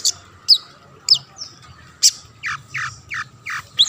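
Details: Long-tailed shrike singing actively, played to lure other shrikes into singing: harsh, buzzy notes and sharp high chips at irregular intervals, then a run of quick descending slurred notes near the end, over a faint low hum.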